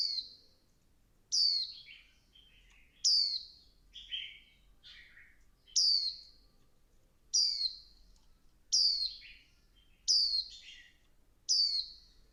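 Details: A female Swinhoe's white-eye stimulating the male, giving a steady series of about eight sharp, high, downslurred notes, each roughly 1.5 seconds apart, with some lower buzzy fragments between them.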